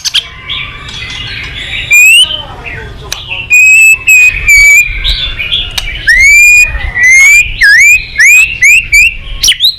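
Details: White-rumped shama, a favourite of songbird keepers, delivering very loud, clear whistled notes, some rising and some dipping, spaced by short pauses.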